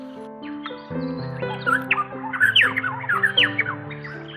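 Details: Varied honeyeaters moving through a tree, gleaning from branches, give loud, squawky, rapidly repeated calls with sharp rising and falling notes, set over steady background music.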